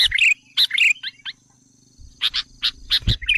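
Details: Sooty-headed bulbul lure sound intended to agitate wild bulbuls: two warbled chirp phrases, a few thinner notes, a quiet gap, then a string of harsh spaced chips with a low thump.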